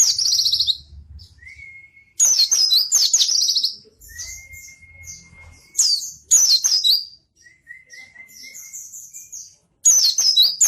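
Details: Vigorous white-eye song used as a lure and tutor for lazy pleci birds. Dense, buzzy high trill phrases alternate roughly every few seconds with plain, drawn-out lower whistles, and a soft low hum sits underneath.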